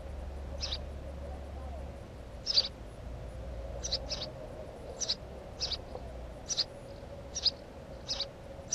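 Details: Fainter house sparrow chirps, short and high, repeated irregularly about once a second, with a low hum in the first half.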